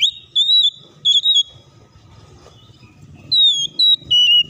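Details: An Oriental magpie-robin's provoking lure song: long, pure, steady whistled notes held high, with one gap of nearly two seconds between groups and a soft low murmur underneath.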